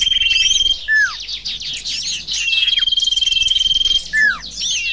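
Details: Lure audio of the sirtu bird: a thin sustained whistle broken by two clear descending slurred notes and a mass of buzzy chattering twitters.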